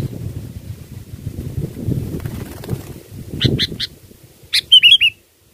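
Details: Sooty-headed bulbul lure song for catching birds: background rumble, a few short clicking notes, then a bright bubbly phrase of three or four slurred chirps before silence.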